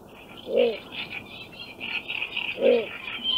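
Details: Little bittern from Central Russia giving short, deep, croaking barks spaced about two seconds apart, over a steady high-pitched background chorus.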